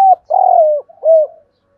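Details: Close, loud cooing from a decoy spotted dove luring wild doves: a brief note, then a long, slightly buzzy coo that sinks in pitch, followed by a shorter rounded coo.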